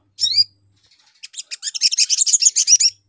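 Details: Spiderhunter calling to lure rival birds: one sharp high chirp, a short pause, then a rapid, rising, dense chatter of harsh twittering notes.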